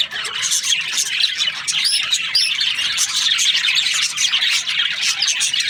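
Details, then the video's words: A flock of budgerigar breeding pairs chirping constantly, high twittering and a few clear whistled upslurred notes standing out over the general chatter. "Budgies parrot chirping sounds"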